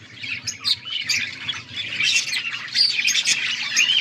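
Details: Budgies calling on August 14, 2024, scratchy chirps and squawks building from scattered notes into steady overlapping chatter, with a faint low hum behind.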